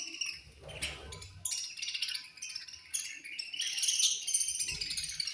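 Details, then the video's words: Feeding time in a budgie colony: many overlapping shrill chirps and twittering calls, rising and falling in loudness, with low bumps at start and end. "Chirping Sounds In Budgies Colony"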